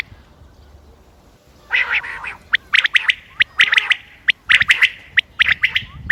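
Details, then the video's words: Common quail recorded 28 May 2025 for hunting use: a short rough note after a quiet start, then rapid clipped triplets, repeated steadily to the end. "quail bird sounds common quail bird sounds بٹیر کی آواز شکار کیلئے quail bird bater"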